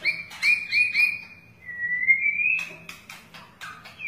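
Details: Tail-flicking long-tailed white-rumped shama opening with a quick run of repeated whistled notes, then one long sliding whistle, followed by a series of crisp clicks and short chirps.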